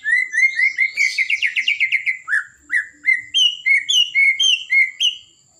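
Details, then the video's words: Blorok-type white-rumped shama in full song, meant to stir up other birds: a quick series of rising whistled notes speeds into a rattling trill, then slows to clear, evenly spaced, ringing whistles. "Murai Batu Blorok Gacor, Buat Burung Emosi"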